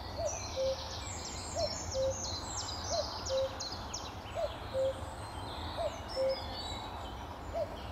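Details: Cuckoo at Amwell Nature Reserve by a reedy lake, sunny May morning in 2014: steady falling two-note cuck-oo given six times, roughly every one and a half seconds, with busy twittering of other songbirds above.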